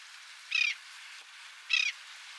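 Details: While bathing, a Laughing gull recorded in Texas in spring 2021 gives two brief nasal squawks about a second apart, each rough and even, with steady hiss behind them.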